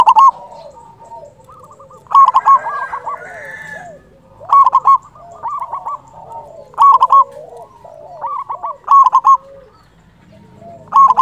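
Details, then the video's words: Loud local zebra dove used as a lure for trapping; rolling coo phrases repeat every two to three seconds, with a background of many softer cooing doves between them. "Perkutut lokal gacor suara besar"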